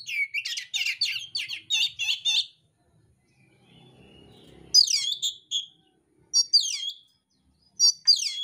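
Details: Oriental magpie-robin of the mintal variety in fighting song with coarse filler: a fast series of scratchy chirps, a pause with a faint low rumble, then loud looping whistled phrases.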